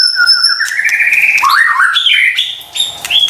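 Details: White-rumped shama singing as a lure for stressed birds: a rising sequence of quick whistled notes climbing in pitch, then a few higher whistles.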